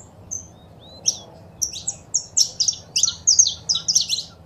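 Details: Female and male saffron finch sounds played to stimulate a pet bird: a few thin, high scattered notes, then a building run of sharp, bright chirps packed closer together, over quiet low hum.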